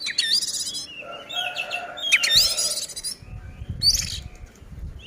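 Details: Oriental magpie-robin in vigorous fighting song used as a lure to agitate other magpie-robins; harsh scratchy bursts punctuated by sharp rising whistles, with rumbling low noise in the background.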